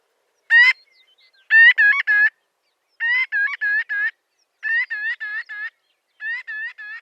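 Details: Marbled godwit calling in rapid clusters of three or four short nasal notes, each cluster separated by brief pauses, in a clean recording.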